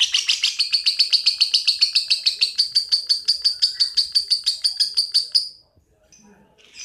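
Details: A lovebird delivers an extended ngekek, a continuous string of shrill, evenly spaced chattering notes for over five seconds that stops abruptly, followed by near silence and a faint chirp.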